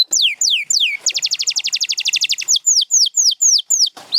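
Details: Canary singing in a champion-bird collection: long descending whistles, a dense rapid trill, then repeated sharp downslurred notes about three per second.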